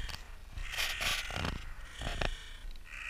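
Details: Park crows in spring, slightly slowed: rough, raspy caws come in three or four broad bursts within about two seconds, with a fainter, higher drawn note near the end.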